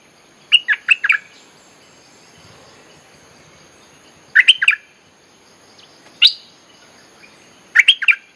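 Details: Recording of a bulbul used to call in wild birds: short bursts of three or four bright, bubbling chirps every few seconds, with a single high note in between, over faint hiss.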